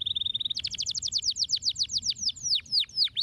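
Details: Canary song used to stimulate silent canaries to sing: a fast trill of high notes, then a run of rapid downward-sweeping whistled syllables, slowing toward the end, about four per second.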